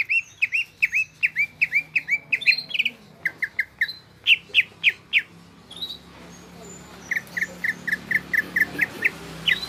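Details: Greater green leafbird in active song, with quick slurred whistles and chirps at first, a few scattered notes, then a fast even series of short whistled notes near the end, over soft background noise.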